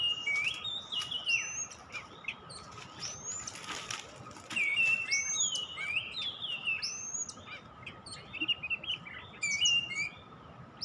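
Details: Oriental magpie-robin (kacer) lure recording: a lively, varied string of sharp whistled notes, slurs and chips at a fast pace, with a few short buzzy bursts and a faint constant hum.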